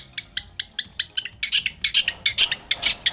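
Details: Long-tailed shrike song used as a lure to prompt a shrike to answer: a steady series of sharp, high chattering notes about five per second, growing louder and harsher after the first half.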